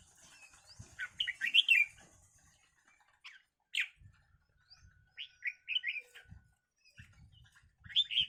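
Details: Fighting red-whiskered bulbuls give loud, clear whistled chirps in quick clusters, rising and falling. Pauses separate the bursts, and soft thuds and rustling from the scuffle are heard between them.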